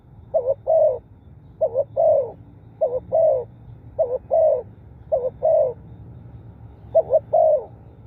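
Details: Spotted dove repeating its coo, seven phrases each built of two short clipped notes and a longer resonant note, delivered in a fairly even series with a low background drone.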